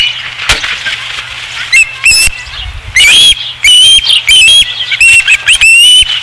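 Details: Osprey at its nest at Dunrovin Ranch, 5 August 2016: loud, clear whistled notes, each slightly rising and drawn out, given in an irregular series with shorter chirps and soft rustling between them.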